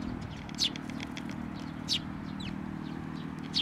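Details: At a Tenmangu shrine on 22 May 2024, sparrows feed their chicks; a few scattered high, descending chirps roughly a second apart, with softer squeaks between, against a low continuous hum.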